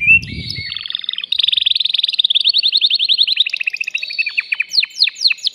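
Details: Agitated male canary singing to stimulate a female for breeding: a long rolling trill of rapid repeated notes, changing to slower sweeping slurs toward the end.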